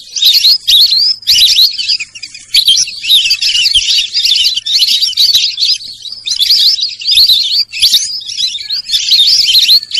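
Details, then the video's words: Sarail bird chatter arriving in bursts of busy, high chirping whistles lasting about a second or two each, separated by brief quiet gaps. "সরাইল পাখির ডাক।Sorail pakhir dak"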